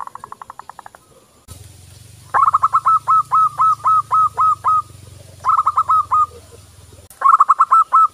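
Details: A lively local zebra dove voice, used as a practice lure for other doves, gives rapid rolling coo series in three bursts, the longest of about ten notes. A steady low hum runs underneath, and faint buzzy pulses open the recording.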